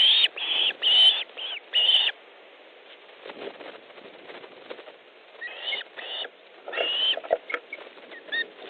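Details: At an Estonian Osprey nest on the afternoon of 3 August 2014, during a fish delivery with a second bird arriving, a quick run of five piercing whistled calls opens the clip. Softer, scattered notes follow over a steady background hiss.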